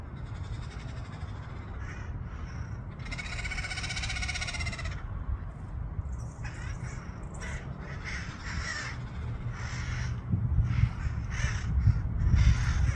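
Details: Wild parrots at the Saturn Steps in San Francisco: one long, harsh, raspy screech lasting about two seconds, followed by a run of shorter grating squawks in quick, irregular succession over a steady low rumble.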